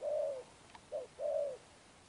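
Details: Spotted dove, newly caught, giving a Sấm Thổ-style coo: a long level note, a faint click, then a brief coo and another drawn-out smooth note.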